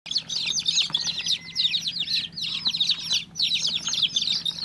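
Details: Newly hatched chicken chick chirping: dense, rapid high peeps in quick bursts, with brief pauses between runs. A faint low steady hum sits underneath.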